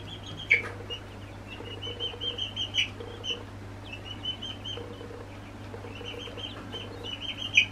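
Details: Two-week-old northern bobwhite chicks give high, thin chirps and short whistled peeps, some drawn out into brief trills, in scattered bursts over a steady low hum.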